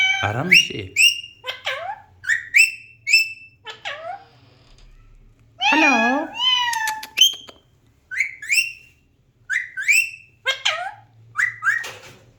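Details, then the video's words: Talking Alexandrine parakeet producing a string of short chirpy whistles and mimicked words such as "hello", with sharp rising notes spaced about half a second apart and one longer wavering phrase in the middle. "alexander parrot talking"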